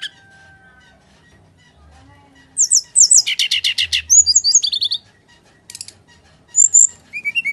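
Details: Fighting-style song of a brown-chested jungle flycatcher, meant as a lure for birds that rarely sing: quiet start, then fast high chattering trills, slurred whistles and short buzzy bursts.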